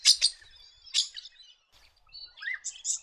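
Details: Red-rumped parrot, a bird of parklands and grassy woodlands in the New England region, NSW, Australia, giving high, bright chirps and short whistled notes in quick bursts, with a rising whistle near the end.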